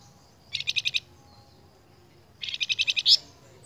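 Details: Flamboyan singing, from a lure recording meant to train cage birds: two bursts of fast, bright, pulsed high notes, a short burst of five, then after a pause a longer run ending in a sharper squeak.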